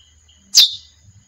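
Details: Female chestnut-bellied seed finch uttering a single sharp chip that drops quickly in pitch and trails off briefly, over a faint steady high whine.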